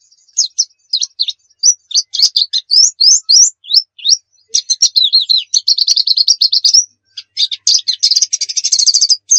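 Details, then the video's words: White-eye singing a lively nembak-style song used as a training master: rapid high chirps and slurred whistles, then dense buzzy trills and a fast rattling run near the end, with a brief pause midway. "Masteran pleci nembak"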